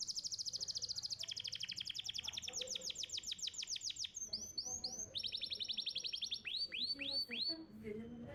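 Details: Canary master song from a champion contest bird, used as training audio for young canaries: long rapid trills of repeated high notes shifting pitch, then looping swept whistles repeated several times a second.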